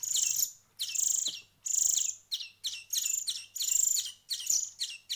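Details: Hand-reared finch chicks beg with long, hissing, high notes alternating with clipped chirps, in rapid, uneven sequence over a low background hum.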